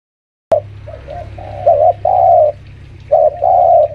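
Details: Senior caged lure spotted dove, about five years old, kept at home, calling while pressing a rival; a soft low coo then two-part coos, a short note and a longer held coo, repeated about each second and a half.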